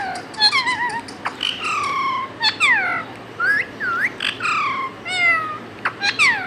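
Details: Pet talking parrot mimicking words and meowing: a busy run of falling and rising whistled, meow-like calls and sharp clicks, nearly continuous over a background hiss.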